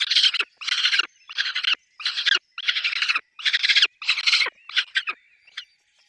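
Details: Peregrine falcons at a nest with chicks; loud harsh screeching bursts, each about half a second, repeated roughly every 0.6 seconds, with a few shorter chips near the end.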